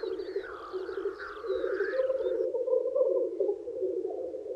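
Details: Male black grouse lekking in spring to attract females: a steady murmuring bubble of low coos throughout, with rising calls and high bird chirps in the first half that then fall away.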